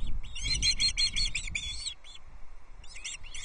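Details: Osprey chicks at a nest at Loch Arkaig on 14 June 2024, calling at feeding time as an adult delivers a trout; rapid series of high, harmonic chirping notes, then a pause and more chirps, over low wind rumble.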